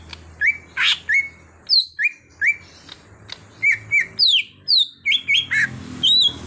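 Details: Greater green leafbird, a caged bird trained to sing readily: loud whistled notes, some rising and some falling, many with sharp sweeping upper overtones, given in quick irregular bursts with brief pauses between them.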